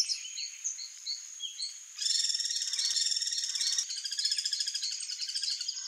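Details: Guira cuckoo (Guira guira), a gregarious bird, in alarm: a few short chirps, then from two seconds on a loud, harsh, fast-pulsed rattle, broken by a brief pause and resumed with overlapping squeaky notes.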